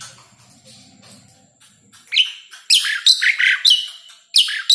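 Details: Asian pied starling song used as training audio for caged starlings: after a quiet start, loud harsh broadband notes and whistled fragments burst out in short phrases during the second half.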